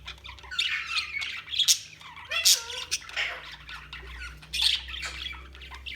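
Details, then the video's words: Several budgerigars chattering together, a continuous stream of buzzy warbles and sharp squawks, with a clear descending whistled glide around two and a half seconds. "Budgies Sounds| Budgies Chirping sound"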